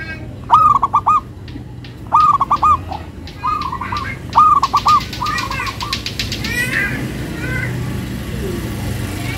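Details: Local perkutut, a zebra dove, cooing in short stuttering phrases that end in a rolling trill, repeated about every two seconds, before a rush of broad noise swamps the last seconds.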